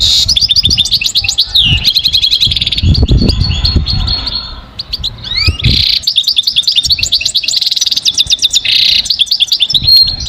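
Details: Energetic goldfinch song with fast liquid twitters, downward-sweeping notes and buzzy trills, accompanied by low thumping and rustling noises.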